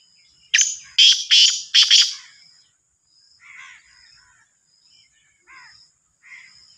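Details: Sindhi kala teetar, the black francolin, calls with four loud, rasping notes spaced unevenly over about a second and a half, then falls quiet. Softer chirps and twitters of other birds follow.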